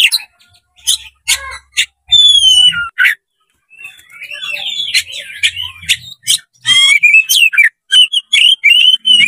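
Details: Oriental magpie-robin, tail spread, singing to provoke a rival into fighting: loud varied phrases of clear rising and falling whistles mixed with harsh buzzy notes and sharp chips, with short pauses between bursts.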